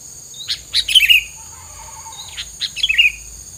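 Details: Two rapid twittering chirp phrases about two seconds apart, with a soft low buzzing tone in between and a steady high hiss, used as filler sound against rivals.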